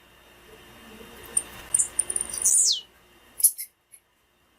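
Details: A female blue-black grassquit gives one high, drawn-out whistle that drops sharply at its end, followed by a couple of short high ticks; the call is meant to stimulate male grassquits.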